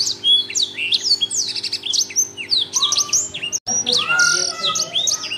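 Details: Blackthroat singing loudly and continuously in the lively 'gacor' style: a fast, dense jumble of high chirps, sharp rising and falling whistles and trills, with a few lower drawn-out whistles and a brief break midway.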